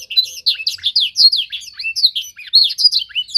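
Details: Young canary in singing training: a brisk, high, twittering song of short rising and falling whistled notes in rapid succession, with no other sounds.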